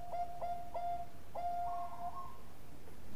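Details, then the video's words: Bangkok zebra dove (perkutut) lure song with a golden voice: three quick clipped coos, then a long sustained coo that steps upward, over a hissy, rumbling background. "Perkutut bangkok gacor Suara Mas Jagonya Pancingan"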